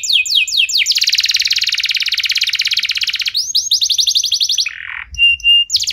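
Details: Caged canary singing a bright song used to prompt other canaries to sing: quick downslurred whistles, a long rapid rattling trill lasting over two seconds, a brief buzzy note, then clipped high pips.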